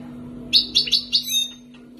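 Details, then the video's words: Wild-caught European goldfinch kept two years, Algeria: four quick, ringing chirped notes followed by a short buzzy trailing note, with a low steady hum in the background. "مقنين خلوي مربيه عامين برت .😘 تيباتباتي😘 سبات سباتي"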